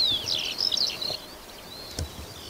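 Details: Eurasian skylark singing above fields near Berga/Elster, Germany: a quick burst of high twittering notes and slurred whistles, then a thinner drawn-out whistle, against light background noise.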